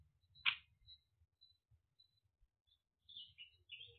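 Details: Great spotted woodpecker (Dendrocopos major): a single sharp, abrupt 'kik' note near the start, followed by quiet high chirps and twitters from small birds and a low background rumble.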